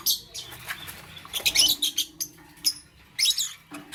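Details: Lovebird in the morning, loud high chirps and short harsh twittering bursts coming in clusters with brief pauses between them.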